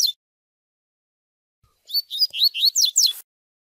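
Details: Double-collared seedeater chick peeping for training a male to the Tui Tui Zel Zel song: one short chirp, a silence, then a rapid series of six or seven descending whistled notes.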